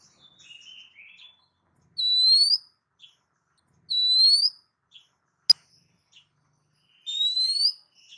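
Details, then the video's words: Oriental magpie-robin (kacer) on a masteran training recording meant to make other birds answer: a loud, bright rising whistle with a harmonic overtone, repeated about every two and a half seconds, between soft scratchy chatter notes and one sharp click. "dengar suara masteran Kacer satu ini"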